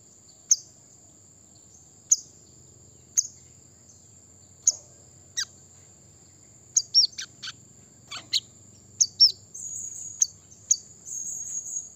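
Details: Brown-throated sunbird song meant to stir rival birds into singing: scattered sharp high chirps and steep downward-sweeping notes, spaced irregularly, with a cluster near the end, over a constant thin high whine.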